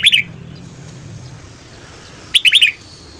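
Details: Red-whiskered bulbul morning song used for voice training: a brief bright whistled phrase at the start, then a quick warbling phrase of four or five high notes after a quiet gap, with faint low background hum.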